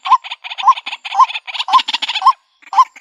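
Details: Calling white-breasted waterhen, its voice used as a trapping lure in rural country: short rising croaks mixed with grating, rattling bursts, quick in succession, then a brief pause and one more note.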